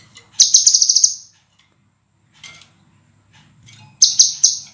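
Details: Scarlet minivet singing on a cage-bird training master track: a piercing, rapidly stuttered high trill, a soft brief chirp in the pause, then another loud pulsed phrase three seconds later; faint low background hum.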